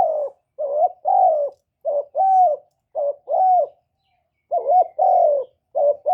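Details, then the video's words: Caged decoy spotted dove cooing in calling, urging and soft cooing styles to stimulate other kept doves, recorded without background noise; low hollow coos in quick pairs of a short note then a longer falling note, several phrases with one brief pause. "Tiếng chim cu mồi GÁY GỌI + THÚC + GÙ"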